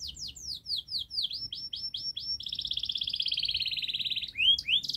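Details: Canary singing a long, fast, dense song, used as a model to get young canaries singing quickly: a run of about ten high downslurred notes, then a long rapid rolling trill, ending with sharp rising notes.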